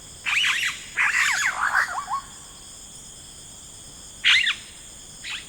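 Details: Yellow-rumped cacique in rainforest delivering gurgling, bubbling phrases of rapid liquid notes, two long bursts followed by shorter ones, over persistent high insect buzzing.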